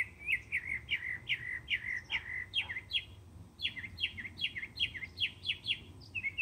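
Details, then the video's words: Serenading mockingbird singing bursts of sharp, downslurred chirps in quick, uneven series, with a brief pause and a change of phrase midway, over a faint low rumble. "Mockingbird serenade"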